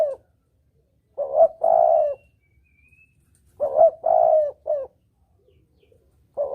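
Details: Spotted dove calling in the double-kuk lure style used for hunting: two clean phrases of low, mellow coos, a rising short note, a drawn-out coo and a brief final note, with silence between.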